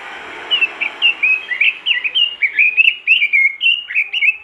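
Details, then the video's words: A vigorously singing robin, recorded as a tutor to prompt other robins to sing: a steady stream of rapid, sharp, slurred whistle notes, roughly two each second, continuing throughout. "masteran burung robin gacor dor,bikin robin lain ikutan gacor"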